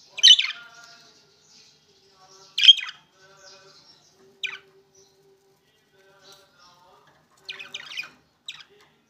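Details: Opaline green and opaline blue budgerigars utter a few loud, sharp high chirps separated by pauses, followed by softer, scattered chattering notes and faint low murmurs.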